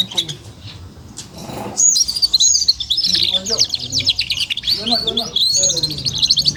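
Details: Four-month-old F1 canary singing, its song kept as a tutor recording for young canaries learning warbling; soft opening notes, then a loud, dense, high warbling stream of fast trills and sweeping chirps continuing to the end.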